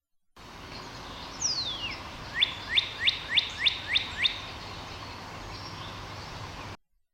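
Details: A Northern Cardinal sings one long falling slur, then about eight quick, clear rising whistles, roughly three per second, over a steady background hiss.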